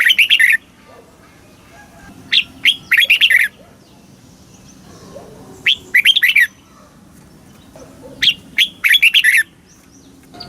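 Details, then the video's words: Song of a red-whiskered bulbul, southern master-phrase style from Thailand, used to make caged birds eager and to teach young birds; cheerful phrases of quick chirped notes roughly every three seconds. "เสียงนกกรงหัวจุก สำหรับต่อ หรือ เปิดให้นกคึก เสียงเพราะๆ"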